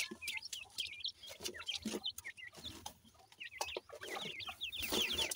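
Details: Grey francolin chicks feeding together; rapid high peeps with quick up-and-down inflections come in bursts, louder toward the end, among scattered sharp clicks.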